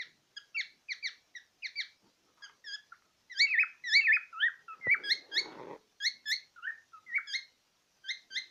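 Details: Pet cockatiel looking into a small mirror, giving quick repeated chirps in short clusters about twice a second, with a sharp tap and a brief rustle midway.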